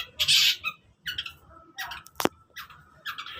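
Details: Long-tailed shrike singing in the morning, giving rasping squawky notes, a loud harsh burst at the start, then broken scratchy phrases and one sharp click-like snap.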